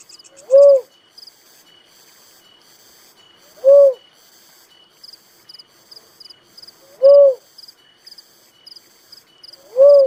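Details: Four mellow, arched coo notes from a Little cuckoo-dove, spaced about three seconds apart, over a constant background of high-pitched insect trilling.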